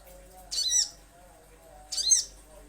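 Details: Little spiderhunter, recorded as a lure sound for cage birds: two harsh, buzzy high-pitched calls about one and a half seconds apart, each with a faint arching lower note, over quiet background hiss.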